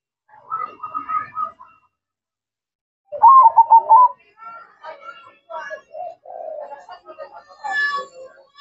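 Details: Zebra dove singing actively: a soft warbling phrase, a pause, then a loud rolling burst of quick coos, followed by scattered quieter notes and chirps.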